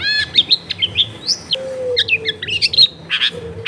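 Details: Long-tailed shrike song for tutoring a quiet caged shrike, made at home in a busy neighbourhood: quick chirps and short warbled whistles in a rambling phrase, over a steady low hum.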